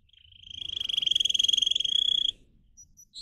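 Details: Canary song meant for training other canaries to sing: one sustained, rapidly pulsed trill that rises in loudness and holds steady for about two seconds before stopping abruptly, followed by faint high notes.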